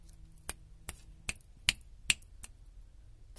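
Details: Sharp, dry clicks like scissors snipping or fingers snapping sound at uneven gaps of about half a second in a quiet small room, with no animal voice.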